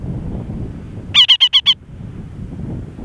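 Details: A Reischek's parakeet on Antipodes Island, New Zealand, gives a quick burst of five harsh, nasal chattering notes in under a second, over a low background rumble of wind.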